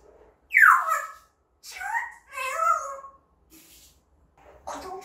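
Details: Pet parrot indoors mimicking words it was never taught: a loud falling swoop, then two warbling voiced phrases with strong harmonics, a faint low murmur, and a short final utterance, separated by near silence.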